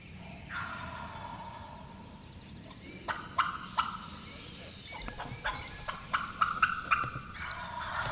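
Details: Two wild turkeys, later identified as jakes (young males), gobbling near hunters in the Georgia turkey woods. The birds approach looking for love. Rapid rattling gobbles roll out in bursts over the second half, with a fainter gobble early on.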